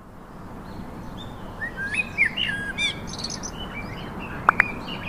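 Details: Black thrush singing in nature: a few clear whistled, slurred phrases in the middle, rising and falling, then two sharp high clicks near the end, over steady low background noise.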